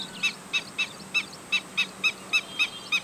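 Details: Black-winged stilt uttering an anxious run of shrill, squeaky kek notes when alarmed, nearly four per second and fairly even, with a low hum and hiss behind.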